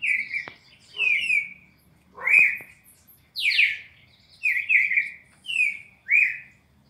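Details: Red-crested cardinal 4-note classic song sequence used for training captive birds: clear whistled notes near the upper-middle range, each sliding downward, delivered in short phrases roughly every second, with faint low background hum.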